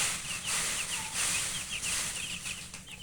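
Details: Chicken chicks chirping while eating: short high peeps, rapid and irregular, some overlapping, with a steady low hum and faint tapping throughout.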